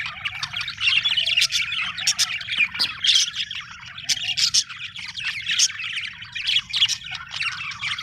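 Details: Chirping from happy budgies: an unbroken, rapid chatter of squeaky warbles and clicky squawks, rising and falling in loudness over eight seconds.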